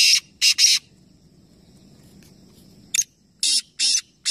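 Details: Three black francolins in a calling competition at Nawabshah, Pakistan: a harsh, grating burst pair opens, then after a quiet pause a sharp click leads into three rasping, buzzy notes; faint low hum in the background.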